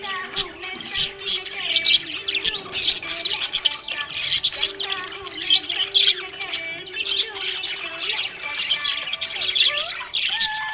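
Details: Happy budgerigar chirping: dense, busy high chatter of short warbled and squeaky notes with quick rising and falling slurs, over a steady low tone that sounds like background music.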